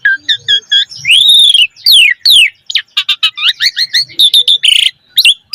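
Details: Varied song of a Javan pied starling, played to coax and tutor young birds: paired short whistles, a high arching note, steep downward sweeps, then a fast series of clipped chirps and rattles.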